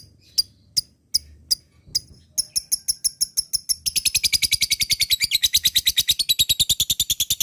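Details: Lovebird sound meant to provoke other lovebirds into long ngekek song: spaced sharp high chips speed up into a fast, dense, unbroken chattering trill that runs to the end.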